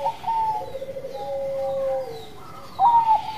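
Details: Bangkok-type zebra dove singing to provoke other doves into song: mellow cooing notes, some held and gently sliding, with a brighter, higher coo rising near the end.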